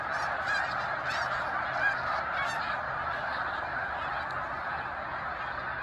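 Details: Shoreline flock of snow geese, Cayuga Lake in Seneca Falls, New York, March 2021, giving a crowded chorus of barking honks, a few louder calls standing out in the first seconds before it evens out.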